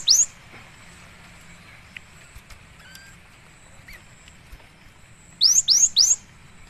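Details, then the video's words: Cinereous tit (gelatik batu), a vigorous singer in a training and lure recording: one clipped rising note at the start, then a quick run of three bright upslurred whistles after a long pause. "suara burung gelatik batu"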